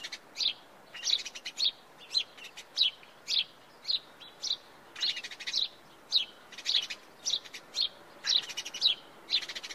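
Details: Continuous house sparrow chirping, sharp high notes repeated nearly twice a second, occasionally doubled, over faint steady background noise.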